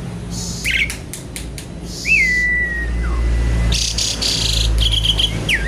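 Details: Javan pied starling singing vigorously with varied fill-in phrases, noisy as if seeking a rival: harsh scratchy bursts, then a long clear whistle that slides downward, more rasping notes and a short upslurred whistle over a steady low hum.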